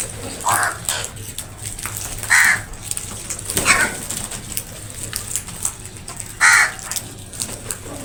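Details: Crows calling while fighting over food: harsh, scratchy caws at scattered intervals, a few louder bursts standing out among clicks and rustling.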